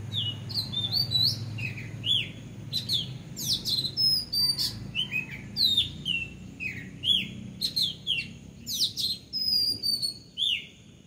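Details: Bulbul on a house roof calling in sharp, high chirps and quick down-slurred whistles, several notes each second and often overlapping, over a faint low hum.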